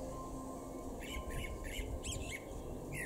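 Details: A male common blackbird sings in an East Frisian garden at Weener, Germany, in April 2022: a row of four similar soft warbled notes, then a sharper squeaky burst and a rising whistled note at the end, over a low hum.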